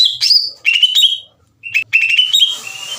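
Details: Greater green leafbird lure song to excite other leafbirds. Short whistled phrases with quick slides come in two groups split by a brief silence, ending in a hissy, scratchy trill.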